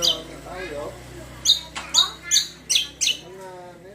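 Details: Greater green leafbird lure song to prompt other birds: soft warbled notes, then a run of five sharp, buzzy chirps at uneven spacing, over a constant low hum.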